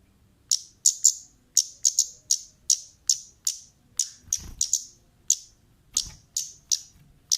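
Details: Female orange-headed thrush call used as a lure for other birds; very high, sharp, clipped notes repeated irregularly, often in quick pairs, about two per second, with faint low thumps behind.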